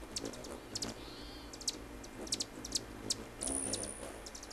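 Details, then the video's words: Hummingbirds give sharp, dry, very high chips in irregular bursts, with a brief thin whistle and a high squealing note near the end. "Hummingbirds - chirping their song"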